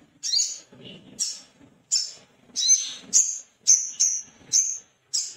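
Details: Male little spiderhunter in an excited, rival-seeking state calls rapidly, nearly two sharp high chits per second, with occasional doubled notes and faint low noises between.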